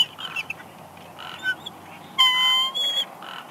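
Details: Wild female bald eagle at her nest at Big Bear Lake, California, whining softly as her mate brings a headless fish: thin high whistled notes, one long sliding tone with stacked overtones, between soft rustling sounds.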